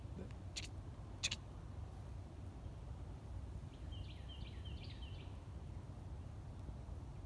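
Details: A newly returned summer tanager gives a quick run of four clipped, staccato, fairly high, dry call notes on a morning on 18 April 2020 at Nalle Bunny Run beside the Colorado River, Texas, over low wind and clicks.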